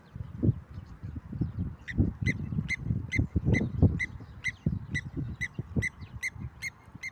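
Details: Blacksmith lapwing seen during a walk: a run of bright, metallic tink notes repeated at a quick, slightly uneven pace, with heavy footsteps and rustling underneath.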